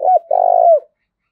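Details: Lure call of a spotted dove for attracting wild doves: a short, hooked double note runs straight into a long, full, steady coo that slides down at its close.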